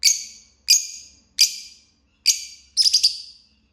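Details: Green Fisher lovebird singing and chirping: loud, harsh, high-pitched chirps repeated every half second or so, the last one broken into a quick stuttering burst.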